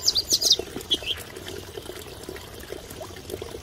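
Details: Masked wagtail at Mahodand Lake, in natural surroundings: a rapid run of thin, high twittering notes opens, followed by two short separate chirps, all over a constant wash of flowing water.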